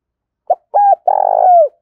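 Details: Spotted dove decoy bird coo phrase: a clipped first note, a level hoot, then a sustained pulsing coo that glides downward, low and soft, with no background noise.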